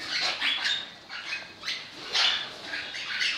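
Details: Orange-blue fallow colour mutation crimson rosella giving harsh, broadband squawking calls in short bursts, several in quick succession, with a brief quieter gap near the middle.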